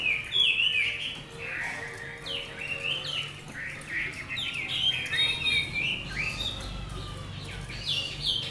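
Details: Chinese hwamei, a selected Lang Son bird caged for eight months, delivers a rich, varied whistled song of quick slurred notes and upward sweeps that repeat in rapid bursts, with a faint steady tone and low rumble beneath.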